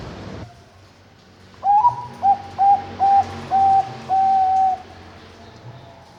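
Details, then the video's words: Anggungan song of a captive zebra dove, hatched 21 May 2023, from a bird farm in Kediri, Indonesia: an upslurred first note followed by a steady run of short, soft coos that grow longer, the final one held level. "Suara Burung Anggungan Bagus"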